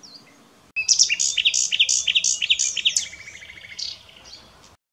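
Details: Common nightingale (Luscinia megarhynchos) bursts into a loud phrase of rapidly repeated paired notes, high bright clicks over lower rolling trills, slowing and fading after about three seconds.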